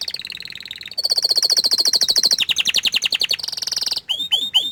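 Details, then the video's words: Rolling canary trills in several pitched sections, a bright buzzy run and then a stuttering lower roll, ending with three sharp downward-swept whistles. "Suara Kicauan nya Mantul Sekali tapi Sayang Kenari ini Malu Menunjukan Wajahnya"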